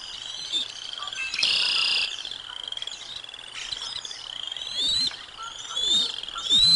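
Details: Bald eagles at the Decorah North nest as the adult female brings lunch to the eaglets, dated 05 06 2022: thin high whistled calls, rising and falling, run almost continuously, broken once by a brief rushing burst of noise.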